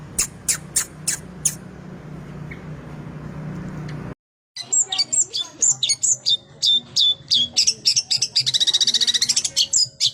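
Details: Long-tailed shrike in lively, full 'isian' song; evenly repeated sharp notes, a brief silence, then a fast, varied medley of squeaks, whistles and rapid trilled notes.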